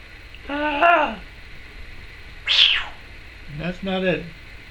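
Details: Chattering female Timneh African grey parrot, a household pet: three harmonic, meow-like calls, the middle one harsher and higher, each lasting under a second.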